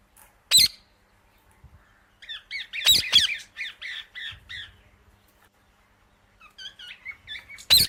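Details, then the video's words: Indian ringneck parakeet calling: loud harsh broadband squawks at the start, near three seconds and at the end, separated by runs of short chattering chirps and whistled rising notes around the middle range. "Amazing Parrot Chirping Sounds"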